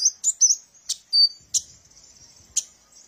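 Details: Kolibri ninja sunbird used as a lure for training birds; a few thin, high slurred whistles and sharp chips, widely spaced, with a brief faint low rattle in the background.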